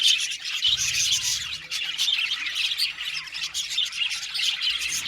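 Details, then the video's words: Budgies, several birds together, chattering in a dense continuous stream of high, scratchy chirps and squawks with no pause throughout. "Budgies parakeets chirping sound | Cute Budgies birds singing sound"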